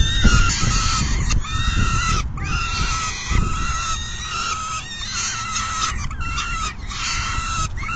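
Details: Peregrine falcon feeding at the nest on 10 June 2022 at 4:08 PM, with one bird departing after it is full; long, even, harmonic wails repeat with brief breaks, some notes bending, against a constant deep rumble.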